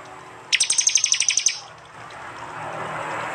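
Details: Prenjak song recorded in East Java on an Android phone: one quick, even trill of about ten sharp, high notes lasting a second, followed by low background hiss.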